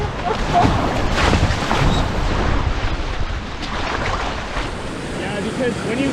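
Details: Rushing river water and wind buffeting the microphone, with faint voices and no animal calls.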